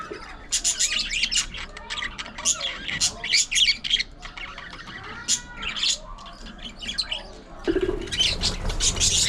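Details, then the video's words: Pet budgerigars indoors playing, fighting and grooming, giving dense rapid chatter: scratchy squawks and high chirps in busy bursts, with brief pauses between bouts, sounding small-room close. "Budgies Unfiltered! Love, Fights, Fun & Chatter All Day Long"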